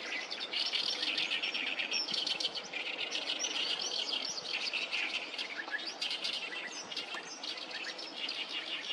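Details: Oriental reed warblers in noisy chorus by the Sawatari River, 7 June 2024: several birds deliver rasping, croaking and chattering phrases that overlap nonstop, forming a dense, scratchy wall of song.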